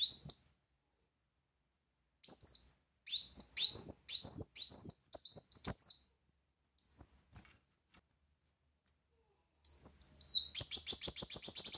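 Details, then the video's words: Brown-throated sunbird (kolibri wulung) singing loudly, a recording for tutoring other birds: scattered bright high upslurred notes in loose clusters, then a long, rapid, buzzy high trill at the end. "Kolibri Wulung Gacor Tembakan Keras Masteran Handal"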